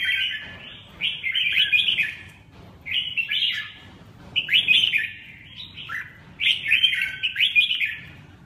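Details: Red-whiskered bulbul singing four distinct bursts of rich, bubbly warbling, separated by short silent pauses.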